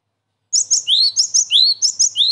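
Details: Lure call of a cinereous tit used to draw wild birds for trapping and to tutor caged birds: three repeated phrases of sharp high chips, each ending in a rising slurred whistle, about every half second.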